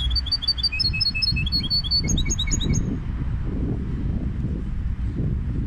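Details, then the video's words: Goldfinch hybrid in full song: a dense, fast string of high, metallic twitters and trills for about three seconds, followed by quiet except for a persistent low rumbling noise. "هجين الحسون Mixto del Jilguero"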